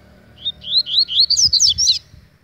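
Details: High, rapid song of an agitated double-collared seedeater: about a dozen short upward-slurred whistles strung together over roughly one and a half seconds, getting louder and more jumbled toward the end.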